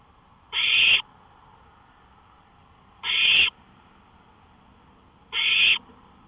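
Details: On a porch at 1:53 AM on May 5, 2013, an owl gives three breathy, screeching hisses, each about half a second long and spaced around two and a half seconds apart.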